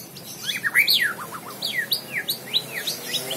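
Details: White-rumped shama song: a rapid run of clear, arched whistled slurs, each swooping up then down, followed by short quick notes and further sweeping whistles at a steady pace.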